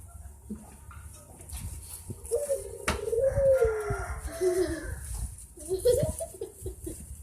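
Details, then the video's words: Puter dove cooing in a soft low phrase of wavering, sliding notes midway through, with a sharp click and background clatter and murmur around it. "Suara burung puter termerdu"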